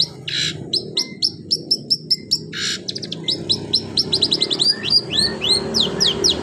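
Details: Canary-style song from a long-tailed shrike: two hissy bursts framing a string of high clipped notes, then an accelerating tumble of rapid chirps and rising whistled slurs.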